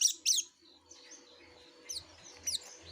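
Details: Yellow-breasted white-eye in full song: two loud high twittering bursts open, followed by softer thin whistles and a couple of quick descending chirps, with a faint low hum.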